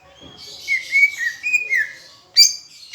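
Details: Greater green leafbird from Palembang in a tutor recording with Asian brown flycatcher imitation, giving a smooth warbled whistle phrase that rises and falls, then one abrupt sharp high chip.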